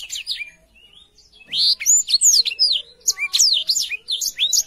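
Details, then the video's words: A lively, clear Black-throated canary warms up with soft thin notes, then launches into loud rapid song of bright rising and falling whistles at about three notes per second. Meant as a tutor for young canaries. "BLACKTHROAT GACOR SUARA JERNIH"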